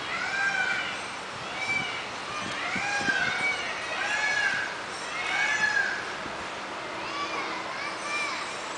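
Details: Peafowl giving repeated arched, nasal calls roughly every second, rising and falling in a loose series over a steady background hiss, with some low thumping noises below.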